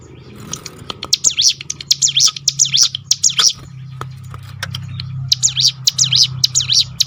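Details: Ciblek gunung performing 'roll tembakan' to lure other birds into song: bursts of fast, high sweeping chirps broken by a pause with scattered clicks, over a noticeable low droning hum.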